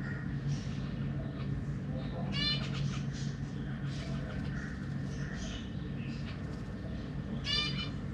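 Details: Zebra finches (Taeniopygia guttata), a family with juveniles and newly fledged young being fed by their parents in a cage, give soft chirps and two louder, buzzy, nasal bursts a few seconds apart over a steady low hum.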